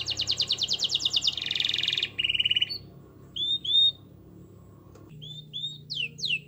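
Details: Canary song aimed at stirring silent canaries: a rapid high trill and a buzzy roll fill the first seconds, followed by scattered short whistled notes over a low background hum.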